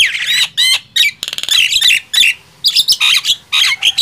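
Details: Nias hill myna against javan myna in a loudness contest: rising whistled notes, a rattling stutter, then harsh grating squawks with short gaps between bursts.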